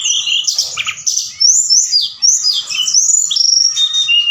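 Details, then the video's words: Forktail singing energetically at night as a lure to excite other birds: a dense, continuous stream of piercing, high-pitched whistles and chattering notes, rapidly slurred up and down. "Tledekan Gunung Gacor Malam || Suara Pancingan"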